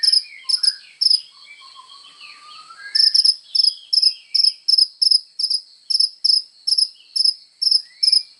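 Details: Sunbird used as training material for songbirds, singing actively: sharp high chirps repeated in quick uneven bursts, with softer thin sweeping notes at the start.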